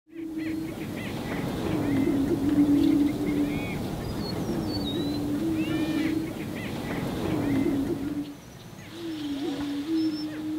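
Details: Male greater prairie chickens booming on a spring lek during their mating display, defending small territories with inflated orange throat sacs; low hollow hooting moans drawn out and repeated, overlaid with higher whooping, cackling calls from other birds.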